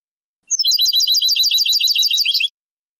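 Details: Goldfinch (European) in the Sebtaoui singing style of Morocco, old cassette transfer: two seconds of sprightly, closely packed twitters and tinkling notes with occasional buzzy slurs.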